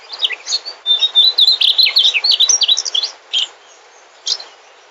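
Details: High, sweet warbling from a mugimaki flycatcher, a migrant bird: a quick string of bright whistled and slurred notes lasting about two and a half seconds, ending in a few separate chirps.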